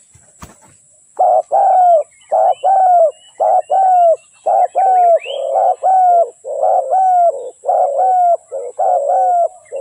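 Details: Spotted dove decoy used to lure wild doves into traps, Malay-line hen; steady run of short hoarse coos with falling tails, delivered in quick clusters of two or three, nearly continuous over several seconds, a faint click at the start.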